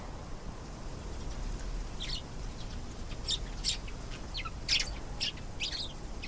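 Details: Canary singing in scattered bursts: short high chirps and brief trilled phrases separated by pauses, with a steady low background hum.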